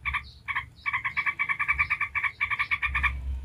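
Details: Yellow-vented bulbul chattering in 'ngebren' style to prompt other bulbuls to call back: short harsh notes, then a long quick run of evenly repeated buzzy notes, with low background hum.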